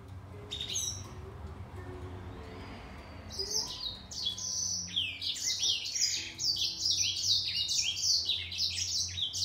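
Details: Grey singer finch in a song duel with a green singer. A few scattered high notes are followed by a few quiet seconds. Then fast, bright twittering and falling whistles build into a continuous, overlapping chorus.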